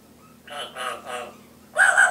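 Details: Timneh African grey parrot at home, mimicking household sounds such as talking and laughter; three raspy voice-like syllables followed by a louder two-part harsh call.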